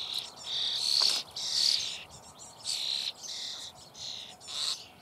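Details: Common starling young fed in their nest hole, Eifel near Büchel: loud harsh rasping begging bursts, about half a second each, six in quick succession with brief gaps.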